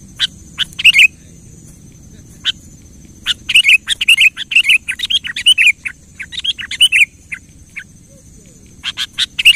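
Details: Spirited kutilang song intended to stir a quiet bird: isolated chirps, then a busy stretch of rapid, warbling whistled phrases, tapering to scattered notes and a final burst, over a low background murmur.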